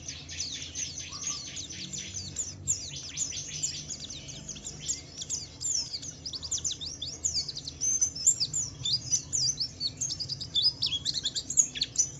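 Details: Javan white-eye of the Wiklus Wiksar type in a long ngalas-style song used to provoke other white-eyes into singing: a dense, rapid stream of high, thin chirps and twitters, growing louder toward the end.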